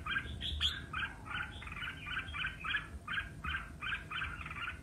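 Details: Red-whiskered bulbul in competitive singing: one high sharp note opens a fast series of short chattering syllables, nearly three per second, over a low hum.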